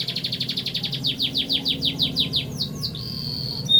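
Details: Canary, kenari, in full long rolling song: a rapid train of high descending chirps about four per second, speeding into a fast trill and ending on a sustained whistled note, over steady low background hum.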